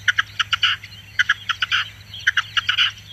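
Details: Singing Red-legged Partridge giving repeated chattering phrases of short harsh notes that build into a longer rasping syllable, three phrases in quick succession.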